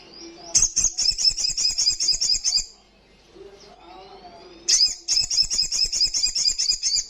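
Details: Olive-backed sunbird (sogok ontong) singing in the loud, fast ngalas style: two bursts of very high, rapid buzzy trilled notes, each about two seconds long, separated by a quiet gap with faint soft chirps.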